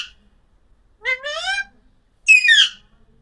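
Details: Alexandrine parakeet giving two loud, rich, harmonic calls about a second apart. The first is a rising nasal squawk and the second a harsher, descending screech, with quiet between them.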